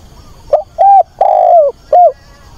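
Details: On a weekend, 24 August, a decoy spotted dove calls to find a mate with one hollow four-part coo: two short notes, a long downward-gliding coo, then a short final note.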